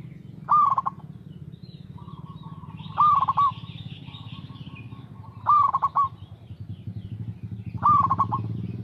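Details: A local zebra dove sings its regular lure song for prompting other doves: four short phrases about two and a half seconds apart, each a rising note and a burst of stuttering coos, with a steady low droning hum throughout.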